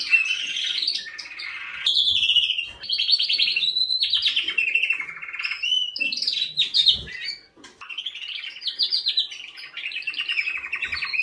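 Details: Canary warbling a varied song of rapid trills, chirps and rolling phrases that rise and fall, with one short break midway before resuming.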